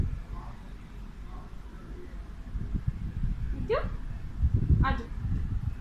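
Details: A pet male Alexandrine parakeet that talks Urdu/Hindi, here talking to a mirror, gives faint speech-like syllables, then two loud, harsh squawks sweeping up and down about a second apart over a steady low rumble.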